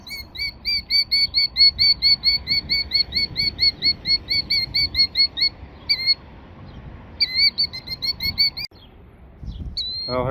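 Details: Killdeer in Tennessee, upset by a person near its eggs laid in a gravel parking lot and doing a broken-wing display, gives rapid, shrill, high-pitched notes, over two per second in a long run, then short bursts after a pause.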